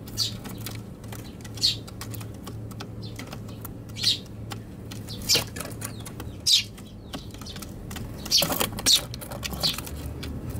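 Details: Eurasian tree sparrows squabbling at a box on a balcony, Tanabata 2021, recorded on an RX100M5A; scattered sharp high chirps a second or two apart, loud wing flapping near the end, low traffic hum behind.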